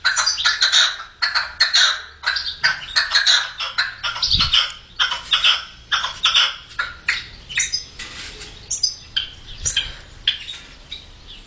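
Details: Red-legged partridges singing, 2014: harsh, grating chuck notes in rapid rhythmic bursts, several birds overlapping in a steady chattering chorus.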